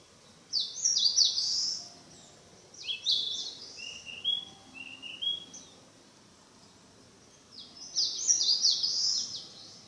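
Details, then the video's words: Narcissus flycatcher practising its song in mountain forest: high, rapid, jumbled chattering phrases in three bursts, with a few lower clear whistled notes between them. "キビタキ 囀り練習中"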